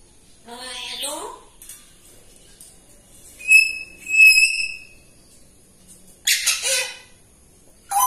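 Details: Pet grey parrot indoors in a morning mood, climbing, hanging and over-talking: a warbling, speech-like phrase, then two clear, steady whistled notes about half a second apart, and later harsh, noisy bursts.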